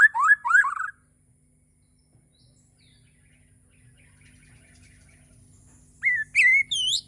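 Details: Morning singing by a Bornean white-rumped shama: a brief burst of tumbling slurred notes, a long quiet stretch, then three bright rising whistles with looping high tails.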